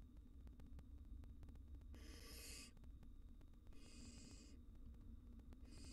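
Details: Barn owl nestlings, wild, in their nest box as a cockroach intrudes: three harsh breathy hisses, each under a second, against a steady low electrical hum.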